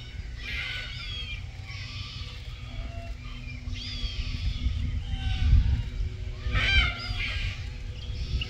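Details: Red-tailed black cockatoos in Keep River National Park, June 2023, in a mating context. Scattered grating calls, one every second or two, with a louder burst near the end over strong low background rumble.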